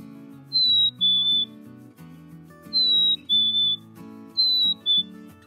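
A Black-capped Chickadee whistles a clear, high two-note fee-bee, the second note lower, three times about two seconds apart, over soft background music.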